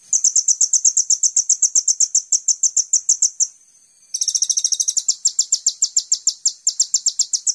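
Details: Van Hasselt's sunbird lure song used to train songbirds: a long steady run of thin high chirps, a short gap, then a rapid buzzy trill leading into more repeated sharp notes.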